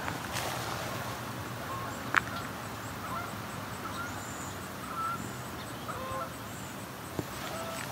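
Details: Distant Canada Geese flying in to land on the Grand River, Waterloo, Ontario, in riparian and urban habitat, give a few short, faint honks spread across the clip over a steady outdoor hiss, with one sharp click near the start.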